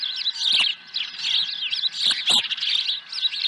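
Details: Osprey at the nest with a fish, April 2020; a short run of loud, thin, wavering whistled chirps, closely spaced and unbroken, with a low hum in the background.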